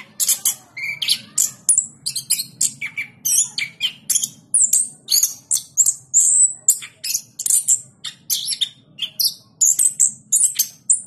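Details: Orange-headed thrush, a presidential cup winner in Yogyakarta kept in a cage, in sustained loud singing: a long dense series of high, sharp chirps and short whistles repeated rapidly, with low background hum.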